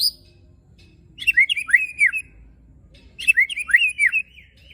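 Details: White-rumped shama (murai batu) song, tembakan and besetan style with coarse fill: two separated bursts of fast, tumbling whistled notes that rise and fall, with silence between them.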